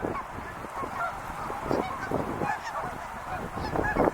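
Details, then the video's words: Wild geese honking in a crowd, overlapping calls with a few louder cackles near the start and again toward the end. "sounds of wild geese"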